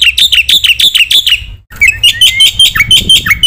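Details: Black-winged myna in full masteran song for training and provoking other birds: fast shrill chirps about three per second, a brief cut, then a rising whistle and more rapid chirps.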